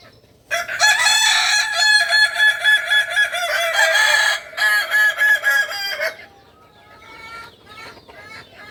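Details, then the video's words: Kukuak Balenggek rooster, a native chicken from Solok, West Sumatra, giving a long crow: a sustained opening note followed by a rapid train of about a dozen clipped, even syllables, ending in fainter background clucks. "Ayam kukuak balenggek"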